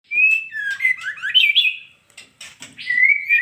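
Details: Female white-rumped shama: clear whistled phrases sliding between high and mid pitch, with warbled notes, a short pause, then a rising whistled phrase and a longer held whistle.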